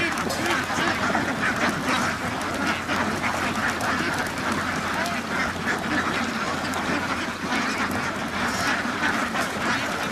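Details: Flock of ducks at a farm, steady crowded quacking from many birds at once, rough nasal calls overlapping into a constant din for the full ten seconds.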